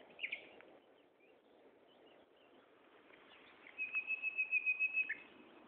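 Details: Common nightingale singing at Gaasperzoom on 16 May 2012, 15:30: a few sharp high notes, then a fast run of evenly repeated pulses sliding into a level whistled tone, over steady broadband background hiss.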